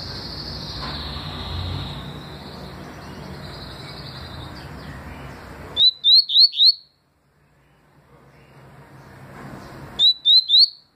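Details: Papa-capim seedeater singing twice: two bursts of four quick rising whistled notes, several seconds apart, after a stretch of noisy background with a faint high tone.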